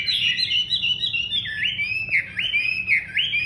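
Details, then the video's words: Loud song of a Chinese hwamei: rich whistled notes, first a run of wavering phrases, then a series of swooping up-and-down slurs repeated at roughly one-second intervals. "Họa mi hót - cái chủ oang oang"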